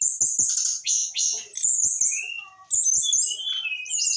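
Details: Brown-chested jungle flycatcher aged eight months in continuous rock n roll song. Loud buzzy high phrases mix with descending clear whistles and brief twittering. A short pause comes midway, with faint tapping clicks underneath.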